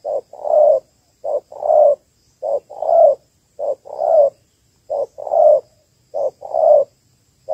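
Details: Female spotted dove of the Malaysian type calling to stimulate males for ground trapping; a steady series of low cooing notes in short-long pairs, thirteen notes, roughly one pair every 1.2 seconds.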